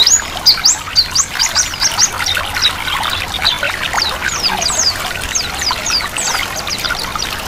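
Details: White-eye song combined with flowing water, used as therapy to make white-eyes start singing; rapid high thin chirps and descending whistled notes in a continuous stream over steady trickling water.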